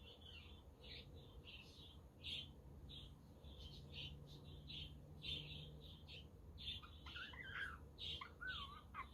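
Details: Several budgies warble and chirp continuously, mixing quick high notes with twisting, wavering whistles, while a windy-day rumble runs beneath. A quaker parrot and a conure are also around.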